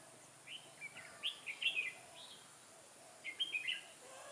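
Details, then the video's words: Red-whiskered bulbul, dark-bibbed bird in a fighting song contest with a caged decoy during trapping on 21 October 2017: quick clusters of clear, rising-and-falling whistled notes, one long phrase then a shorter burst, against a quiet background. "Bẫy chào mào cui lân - yếm đậm chơi cực sung"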